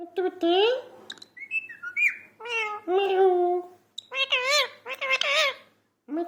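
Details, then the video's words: Talking parrot chattering almost without pause: rising nasal syllables, short clipped whistles, drawn-out mew-like tones and fast wavering warbles, with a brief gap near the end before another note. "parrot talking 🐦. talking parrot"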